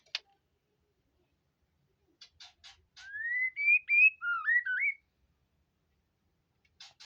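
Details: White-rumped shama in prolific song: a flowing phrase of clear whistles that climbs gradually, then breaks into lower twisting slurred notes, with faint clicks before and after.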